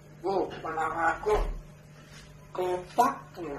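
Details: A pet African grey parrot swears in short, human-like bursts of words with sharp, clipped syllables, over a steady low electrical hum in a small room.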